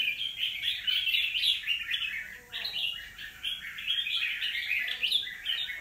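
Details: Red-whiskered bulbul, a wild-caught bird kept after two moults, giving dense, fast chattering song of warbled and whistled notes in continuous bursts, with a brief lower humming tone midway.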